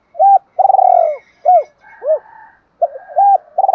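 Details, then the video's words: Lure cooing of a spotted dove in the thổ voice for stimulating a decoy: low coo, drawn-out burred purr, arched coos, then a fresh phrase starting, with a faint steady tonal hum behind. "tieng chim cu gay kich boi nhanh nổi hiệu quả"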